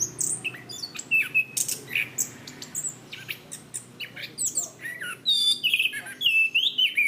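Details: Chestnut-capped thrush, a favourite cage songbird of Southeast Asian forests, singing energetically in 'gacor ngeplong' style: dense, varied high chirps, trills and slurred whistles almost without pause, ending in looping whistled phrases.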